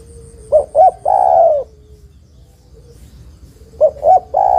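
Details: Calling female spotted dove, addressing the male: a three-part phrase of two brief coos and a long, throaty coo, repeated after about three seconds of quiet. A faint high pulsing tone is heard early on.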